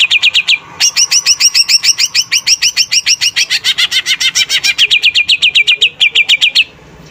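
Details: Energetic greater green leafbird song made of rapid, evenly spaced chirps, about three to four per second. The phrase changes partway from higher forked notes to lower slurred ones and ends in a trailing series before falling silent.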